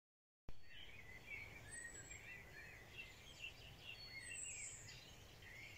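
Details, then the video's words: Several birds singing together on a spring morning, a tangle of high chirps and warbled phrases with a few thin whistles above, over a low steady rumble of outdoor noise. "Birds song in a spring morning"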